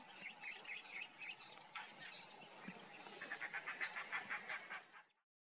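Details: Grey francolin, locally safed teetar, in dry grasslands of Hinauta, Panna National Park, central India, giving the soft clucking a covey uses to keep in contact: short soft clucks repeated about four per second, with thin high chirps from other birds earlier.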